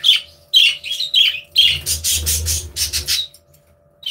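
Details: Budgies chirping and playing together in their aviary: four quick bright chirps, then a dense, scratchy run of squawking chatter lasting about a second and a half before a pause, a low hum beneath.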